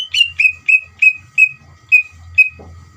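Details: Greater green leafbird singing loudly as a lure to excite a trainee leafbird: seven ringing whistles, each a quick downward slur, spaced slightly more widely toward the end, over a low buzzing hum.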